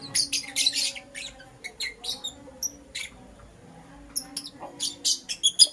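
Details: In the morning a green Personata and a yellow pastel pied lovebird give clusters of bright, high chirps and squeaks, with short whistled notes between, a lull, then another lively rapid flurry.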